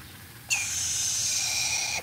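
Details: A pet chattering lory (Lorius garrulus), which likes playing in water, gives one long, harsh, hissing screech held steady for about 1.5 seconds during a bath, over a faint low hum.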